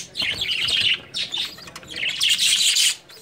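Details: Breeding budgerigars at the start of summer chatter in three dense bursts of shrill, scratchy chirps and warbles, each about half a second to a second long, separated by brief quieter gaps.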